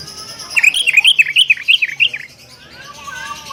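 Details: Sooty-headed bulbul calling to challenge a rival: a rapid burst of about ten bright, chirpy notes. They tumble up and down over roughly a second and a half, then give way to quiet background with a faint hum.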